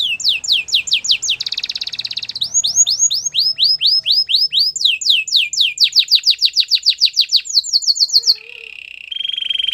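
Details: Song of a Belgian singing canary: rapid descending whistled notes repeated in runs, broken by a short buzzy trill, more runs of falling notes, then a steady rolling trill to close.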